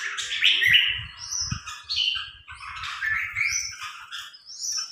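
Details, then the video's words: Caged red-whiskered bulbul in a training match against a top-ranked provincial bird: lively run of short, varied whistled and chirped phrases in quick succession, some rising sharply, over soft low thuds. "Thử lô Chào Mào 10 triệu Đấu Với Chào Mào Tốp"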